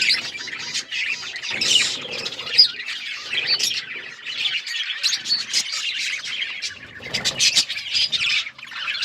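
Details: Pet budgerigar parrots twitter in a group, bursts of scratchy warbling and piercing chirps rising and falling, with short quieter gaps between louder spells of chatter.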